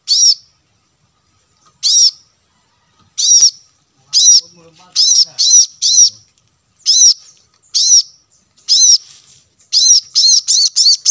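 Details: Plain-throated sunbird lure audio meant to draw wild birds close: a lively run of about a dozen sharp high chips that quickens into rapid bursts toward the end.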